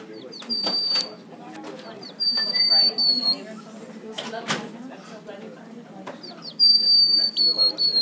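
A White-crowned Sparrow raised without hearing normal song gives a simple, abnormal song: three long, thin, high whistles, each sliding slightly downward, over soft room noise.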